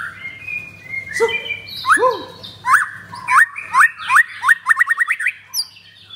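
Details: White-rumped shama of the pastol blorok type, wearing a double leg ring, sings clear whistled notes, then a run of quick rising upslurred whistles roughly every third of a second, over a low steady hum.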